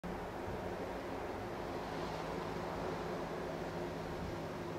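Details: A steady roar of surf and wind fills the recording evenly from start to finish, with a faint low hum underneath and no animal voices.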